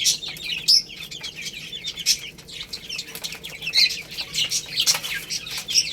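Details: Baby chickens eating rice and playing. Rapid, high, thin peeping from several chicks, overlapping cheeps with occasional sharper squeaks and some soft fluttering.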